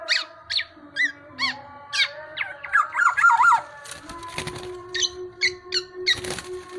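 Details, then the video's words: Black-naped oriole, tame and chatty: evenly spaced chevron chirps, then a wavering nasal warble, followed by scattered chips broken by sharp clattering noise bursts and a steady low hum. "KEPODANG EMAS JINAK GACOR"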